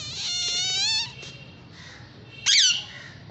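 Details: Two caged Indian ringneck parakeets enjoying and fighting; a long harsh harmonic-rich screech lasting about a second, then a shorter sharp squawk, in a small indoor room.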